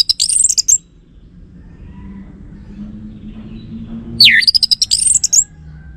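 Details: Lure song of an Orange-headed thrush for provoking male replies: two quick, high-pitched twittering phrases with sharp up-and-down sweeps, the second opening with a deep downward-then-rising slur, quiet murmur between.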